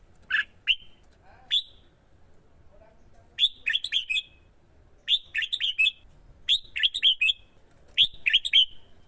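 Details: Male red-whiskered bulbul in Vietnam in twisting-voice competitive song, excited by a female, used to lure wild birds. A busy run of about six rapid, warbling, slurred phrases follows a few single opening notes.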